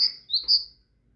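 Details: A short burst of loud, pure whistles from a tit: a high note, a lower one, then a ringing high note, before silence.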